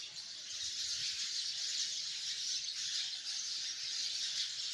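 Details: Hundreds of sparrows chirping together in a tree, merging into a dense, continuous high-pitched wash of overlapping chirps that stays steady throughout, with no single bird standing out.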